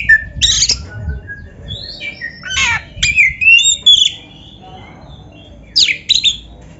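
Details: Shama song used as training material for kept birds: scratchy rasping bursts, then a run of fluty whistled phrases rising and falling, with pauses between and faint low background noise.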